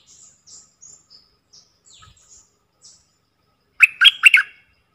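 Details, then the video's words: Four decoy bulbuls recorded from the wild, calling; faint high thin chirps scattered through the first seconds, then a loud burst of three harsh, buzzy chattering notes near the end. "เสียงต่อนกดอกแตงEp.68 เสียงต่อจากป่าจริงๆ นกต่อ4ตัว!!! Suara merbah lekir gacor"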